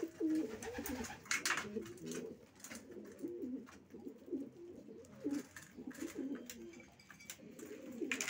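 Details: Racing pigeons giving a steady stream of low, rolling coos, several birds overlapping, with light clicks and shuffling in the background.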